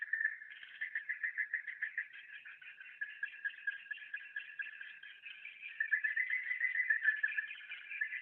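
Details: Swiftlet internal 'suara tahan' call, a dense chirping chatter with rhythmic swells roughly three per second, growing stronger and busier in the last few seconds.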